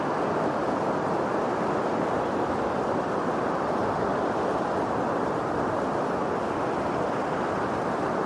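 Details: Continuous broadband rushing of surf or wind, with no animal sounds.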